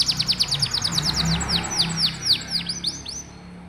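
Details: Canary song played as a tutor for young canaries: a quick run of clipped notes slowing into spaced, bright, downward-swooping whistles, fading at the end, with a low steady hum underneath.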